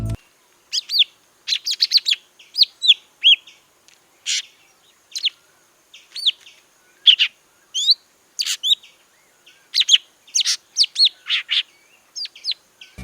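Golden-fronted Leafbird giving a rapid, varied run of sharp whistles, chirps and squeaky notes, high-pitched and clustered in quick bursts about every second.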